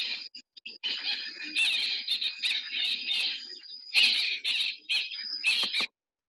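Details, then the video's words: Hartlaub's (white-rumped) Babblers, resident in lodge gardens near Mahango National Park and often heard before seen, give very loud, harsh, chattering calls in overlapping bursts, a noisy group chorus lasting several seconds. "and often you will hear these birds before you see them you can hear they've got a very very loud noise"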